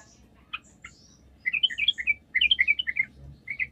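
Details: Lively yellow-vented bulbul song used as a lure to make other bulbuls answer: scattered short notes, then two bursts of bubbly, jumbled chirps around mid-pitch, each about a second long, with faint low hum beneath.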